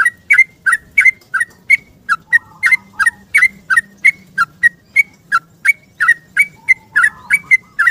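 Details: Morning 'ropel' song of a yellow-vented bulbul seeking a companion, used as a lure. Fast unbroken chain of bright, bubbly whistled chirps, roughly three each second, with faint low warbling between notes.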